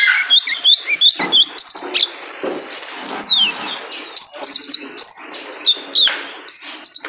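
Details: Male kolibri ninja sunbird, cage-bird training recording meant to make birds sing: rapid, very high, thin chirps and sharp twittered trills in quick bursts, with short slurred whistles and brief gaps, all overlapping busily throughout.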